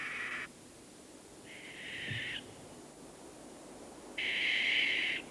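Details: Barn owl (Tyto alba) gives three harsh, hissing screeches, each about half a second to a second long, with brief pauses between them against a quiet background.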